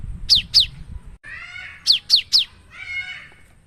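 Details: Loud cinereous tit song used to draw other birds: two then three steeply falling whistled notes, separated by a softer, lower buzzy phrase.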